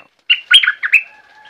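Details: Southern Thai streak-eared bulbul giving one short, loud phrase of four or five clipped, slurred notes, followed by a faint, thin, drawn-out tone.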